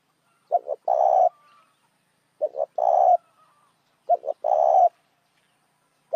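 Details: Spotted dove calling, used as a lure for other doves: three phrases about two seconds apart, each two quick low coos followed by a longer, rough, steady coo, against a quiet background.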